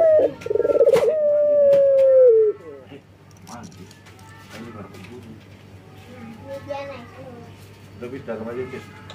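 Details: Male local collared dove in breeding condition calling females: a single coo with a rolling trill and a long falling note, followed by quiet background murmurs.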